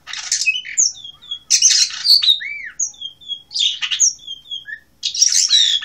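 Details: Blue rock thrush from Asia: rapid buzzy bursts alternating with clear high whistled notes and an arched slurred note. Phrases come about every second and a half.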